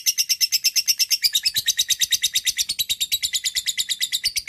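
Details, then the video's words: Lovebird long ngekek chatter directed at a rival, used as a lure: a continuous, very fast series of harsh high chirps, evenly repeated, with the tone shifting slightly lower partway through. "lovebird akan kepancing ngekek panjang"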